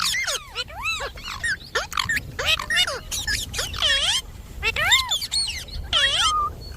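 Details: Indian ringneck parakeet kept as a pet, talking: rapid strings of arched, voice-like syllables and squawky chatter delivered almost continuously, some notes sliding down sharply at the end.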